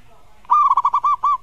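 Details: Zebra dove master song used to stir a rival into replying: a single quick series of seven rhythmic coo beats, evenly spaced and slightly slowing at the end.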